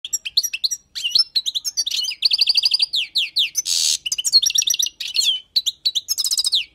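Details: Wild European goldfinch song used for tutoring: rapid liquid twittering with bright rising and falling notes, fast trilled runs and a brief harsh buzzy burst midway, delivered in near-continuous phrases.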